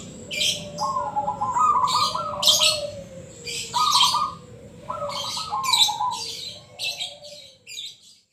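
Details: Local zebra dove singing ngebrem, its pulsed coos softer here under frequent loud high scratchy bursts, with a lower steady tone beneath, fading toward the end.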